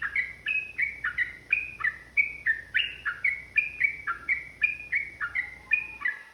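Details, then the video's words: Yellow-vented bulbul provoked into emotional, fighting song with long 'ropel' runs: evenly paced bright chirps dropping in pitch, close to three a second, clear over a faint low background hum. "TRUCUKAN GACOR ROPEL PANJANG | Pancingan AMPUH Burung Trucukan agar bunyi jadikan EMOSI"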